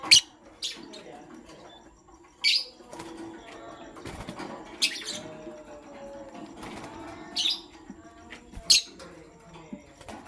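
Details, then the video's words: Pastel gray and green lovebirds in the morning, giving sharp, harsh high chirps spaced a few seconds apart over a faint murmur and soft tonal background sounds. "Pastel Gray LoveBird Chirping Sound"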